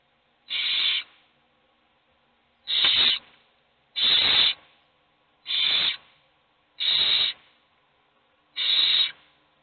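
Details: Owl nestlings begging from hunger while only one eats; six short, harsh hissing screeches repeated roughly every one and a half seconds, steady and evenly loud.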